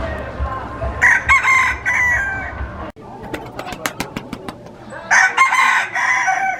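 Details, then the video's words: Crowing rooster heard in a short harsh burst, followed by a series of sharp clicks and knocks, then another rough crowing phrase near the end. "Diferentes Galos cantando - Galo cantando - Som do galo"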